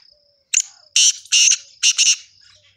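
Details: Singing male black partridge giving a short sharp note and then a rapid series of three grating, rasping phrases, the final one split in two, with a high insect tone underneath.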